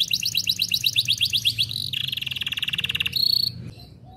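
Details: F1Ys canary singing steadily as master song: quick repeated high notes, then a dense buzzing trill, a bright high chattered burst, and quieter fading notes at the end.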